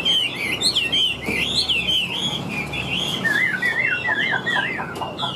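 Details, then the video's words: Wild-caught Chinese hwamei kept caged, pouring out wavering whistled phrases, then a series of repeated looping notes that dip and rise in a rocking pattern, loud and clear. "Họa Mi Chơi Cánh, Đuôi Lá Vả - Hót Hét Tốt Giọng Căng - Chim Rừng"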